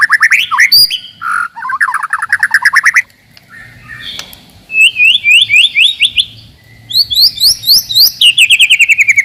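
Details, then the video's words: Song of the white-rumped shama, meant to rouse rivals and test young birds: slurred rising notes in fast series, repeated upslurred phrases in bursts separated by quieter gaps. "KICAUAN TERBAIK,,PASTI AMPUH,, MEMANCING/MENAIKAN EMOSI LAWAN."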